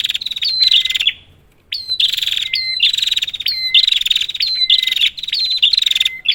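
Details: Lure recording of prinia calls for birds that have gone quiet: loud, dense buzzing trills in bursts with a brief pause, a sharp upswept note starting each burst and steady lower whistles between.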